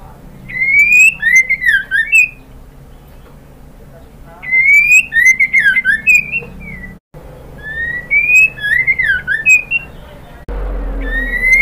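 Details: Female white-rumped shama calling a male to provoke song. A rising clear whistle followed by a tumbling descending phrase is repeated three times, a few seconds apart, with low hum beneath.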